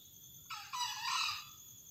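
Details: Wild green junglefowl rooster crowing at a spot beside a house, where many males and plenty of females live; a single short, hoarse, screechy crow lasting about a second, rising then trailing off, over a steady high-pitched background tone.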